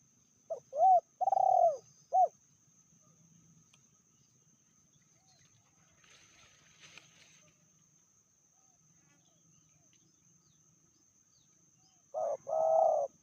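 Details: Female spotted dove in Indonesia, described as fiercer than the male, gives a four-part cooing phrase, falls silent for about ten seconds with faint rustling, then starts a second phrase.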